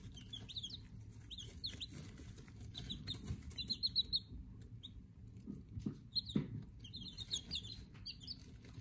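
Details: Day-old Silver Laced Wyandotte chicks in a brooder, peeping with thin high chirps in short bursts and scattered overlapping peeps, some rising-falling, over a steady low hum and occasional bumps.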